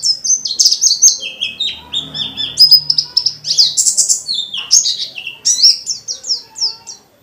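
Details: Kept dakun white-eye delivering a lively, nonstop forest-style song full of varied fill-ins to provoke other white-eyes; high twittering phrases mixing sharp downslurs and buzzy notes, with a faint low hum underneath.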